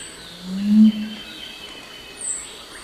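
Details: Crestless Curassow giving its low humming song, often heard at night: one deep, smooth hum lasting about half a second rises and fades, with faint high-pitched insect notes and distant bird chirps behind.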